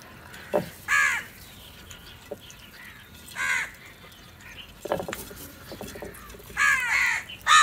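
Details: Fighting crows competing for food, with loud, grating caws spaced by pauses, then a closer cluster of hoarse calls near the end, plus scattered clicks and knocks.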